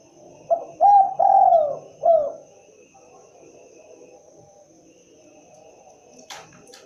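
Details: Spotted dove calling one full cooing phrase: a short coo, a rising coo, a long sliding coo and a final short coo, then quiet with a single sharp click near the end.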